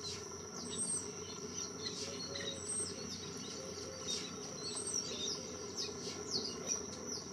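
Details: At Quinta do Lago in the Algarve, Portugal, Black-headed Weavers give scattered short, high chirps and chattering notes over a steady high-pitched insect drone and a low hum.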